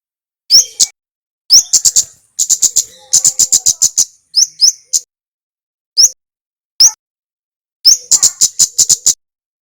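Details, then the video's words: Male Javanese flowerpecker singing energetically, recorded to train other flowerpeckers: sharp upslurred notes alternating with rapid strings of very high, dry ticks, plus isolated single chips; no other sounds. "suara kemade gacor"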